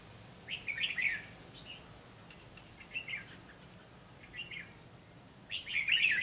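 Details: Red-whiskered bulbul decoy singing fighting song during trapping: scattered chirpy warbled phrases, fainter in the middle and louder again at the end.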